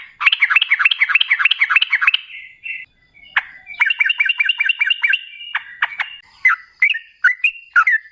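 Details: Rapid bubbling song of a yellow-vented bulbul, used as a lure to make other birds reply: dense rolling phrases of repeated liquid notes, a short break with a click, then another run and scattered chirps.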